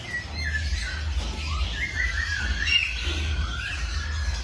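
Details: Birds in the morning give a run of warbling, whistled notes that wobble up and down, with fainter calls behind and a strong low hum throughout.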